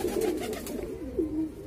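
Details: Deep, rolling pigeon coos, one phrase swelling and falling, then another rising coo after a pause; light clicks early on.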